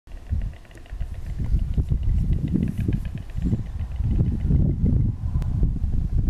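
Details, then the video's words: Storks starting their courtship display clatter their bills in dry, wooden rattling bursts that come in irregular runs, over a low rumble of wind or background noise. "Comienza la parada nupcial de las cigüeñas."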